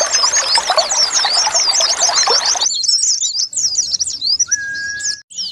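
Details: White-eye song used as a lure to prompt a silent bird to sing: fast, high twittering of sharp chirps and slurred notes. A loud hissing, pouring noise covers the first half, then a long steady whistle joins in.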